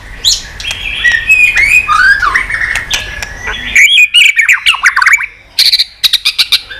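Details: Multi-voiced song of a white-rumped shama, sung to stimulate other shamas: dense warbled and whistled phrases gliding up and down, then a run of sharp, rapid clicking notes near the end.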